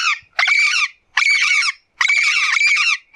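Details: Wild yellow-faced parrot producing coarse, buzzy squawks in three long bursts roughly every eight-tenths of a second, with a quiet pause between each, nothing else heard.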